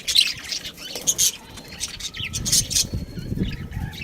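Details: Pet budgerigar making scattered high chirps and short squeaky notes, a few loud bursts among softer twittering and low background sounds.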